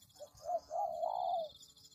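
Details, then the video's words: Spotted dove calling, used as a lure for trapping doves; a short soft coo followed by a longer, wavering, low hooting phrase in a quiet indoor setting, with faint high electronic hiss. "Pikat Tekukur"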